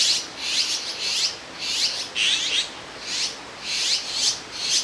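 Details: Grown azure-winged magpie nestlings, out of the nest and perched side by side on a branch at Jirisan National Park, give harsh, raspy, hissing begging calls while awaiting food from their parents, about twice a second with thin squeaks.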